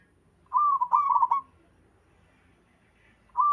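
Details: Local zebra dove singing with others responding: one loud, warbling coo phrase with a rolling, stuttered middle, then a quiet gap before the next phrase begins.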